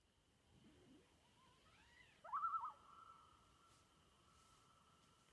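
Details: Common loon calling on an Adirondack lake: after faint calls, a loud call swoops up sharply, then holds a long, steady, mournful note for about three seconds, over a constant high insect drone.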